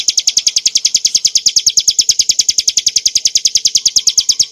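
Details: Hill prinia (ciblek) song for tutoring cage birds: a loud, clean series of quick, sharp high-pitched chips repeated regularly at roughly three per second, with nothing else audible.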